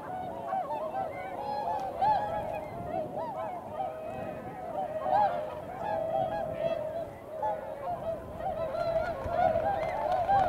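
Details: Swans calling as they run upwind before taking off, filmed in the first half of February near 8 a.m.; a sustained chorus of many honks, with individual curved trumpeting notes rising above it.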